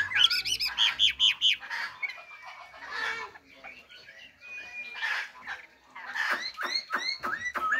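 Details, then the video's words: A caged Chinese hwamei sings loud, rich phrases of quick repeated whistled notes, looping and slurred, with brief pauses between bursts; faint background noise. "Họa Mi"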